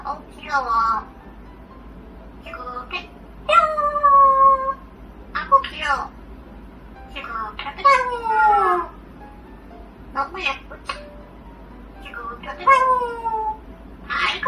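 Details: Pet parrot chattering in short, speech-like bursts of warbling, harmonic phrases that slide downward, spaced by pauses of one to two seconds, indoors and otherwise quiet.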